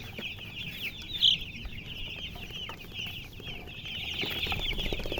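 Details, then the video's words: Chicken chicks chirping in a continuous crowd of high, rapid peeps, short slurred notes running together, one louder sharp peep standing out near the start. "Baby "Chicks Chirping" Sound"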